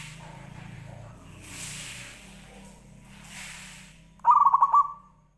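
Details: Zebra dove singing, played as a lure to set other doves cooing: hissing, rushing background noise gives way near the end to a short, loud run of quick pulsed cooing notes.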